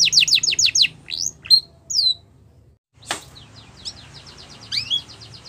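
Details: Canary chirps meant to set other canaries singing; a short fast trill, scattered sharp whistled notes, a click, then softer quick trilling.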